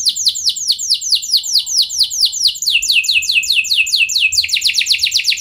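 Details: Canary song for prompting other canaries to roll: steady run of high downward-slurred notes, a few per second, speeding into a tighter faster trill toward the close.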